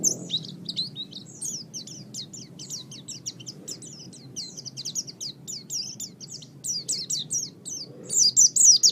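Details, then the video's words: Rapid, high-pitched twittering of an Oriental white-eye, a song offered for training songbirds, with notes coming more than twice a second and growing louder and more tangled toward the end. "Ocehan Burung Pleci"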